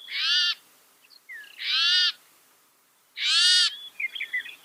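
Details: Three long harsh, rasping buzzes about a second and a half apart from a northern mockingbird, said to copy 200 sounds, with a few small chirps trailing after the last, from a masteran recording.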